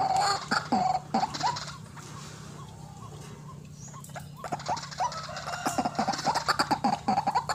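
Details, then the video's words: Lure recording of a white-breasted waterhen. Scattered harsh calls lead into a subdued stretch, then a rapid run of clipped notes follows. "RUAK RUAK GACOR GANAS RAJANYA PIKAT"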